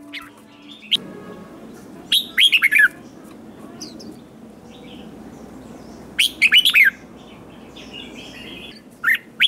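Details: Red-whiskered bulbul, wild-caught, in contest singing: two short bursts of rich warbling notes several seconds apart, with softer phrases in between and a steady low background hiss.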